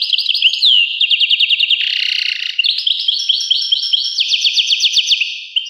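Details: Continuous European goldfinch song: high, tinkling, rapidly varied twittering with ticking trills, a short buzzy, wheezy passage in the middle, then more sparkling trilled runs.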